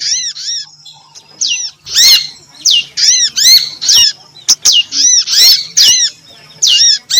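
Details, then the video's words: Prinjak lumut (prinia) female call for luring birds: bright, downward-curving notes given in uneven bursts, with scattered sharp clicks and a faint low hum. "suara pikat burung betina_!! pangilan burung betina - prinjak lumut"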